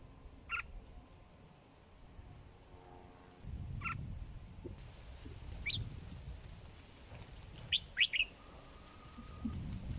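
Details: Sooty-headed bulbul, a hobby bird over four months old, giving short bright chirping notes spaced a few seconds apart, then a quick cluster of sharp notes near the end, over low rumbling background noise and a faint steady hum.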